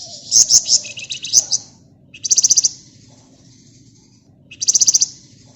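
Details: Flamboyan bird in full gacor song, a dense ngebren nyerecet chatter used as a lure: very high, rapid buzzy trills in short bursts, three main phrases about two seconds apart over a low background hum.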